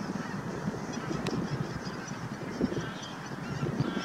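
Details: Naardermeer, the Netherlands, 9 March 2021: a bar-headed goose gives scattered deep, short honks within a constant background chorus of a large goose flock, one sharp click near the start.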